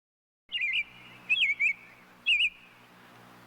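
Robin song in four brief, clear warbled phrases, high and twisting, spaced about a second apart against a quiet background.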